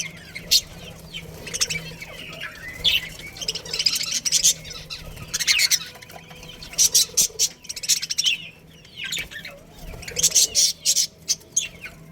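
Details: Colony budgerigars, a breeding pair among them, chirping in bursts: clusters of sharp high chirps separated by quieter warbling chatter, repeated every second or two over a low steady hum.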